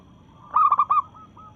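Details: A local zebra dove in breeding condition gives a brief challenge phrase to rivals: four rapid rounded coos in under half a second, then soft cooing in the background.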